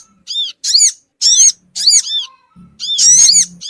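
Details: Small-bird lure of the Sogon bird: four harsh, squeaky harmonic bursts of rising-and-falling notes, spaced about half a second apart, with a low hum near the end.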